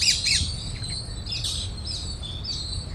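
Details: Parrots in a feeding flock at Cubbon Park, Bangalore, India, with a squirrel nearby; loud harsh squawks open the recording, followed by repeated shrill chirps over low background rumble.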